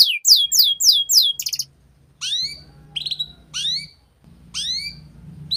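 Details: Canary song played to teach young canaries: a quick run of high falling notes, then separate sharp downslurred whistles roughly once a second over a low background hum.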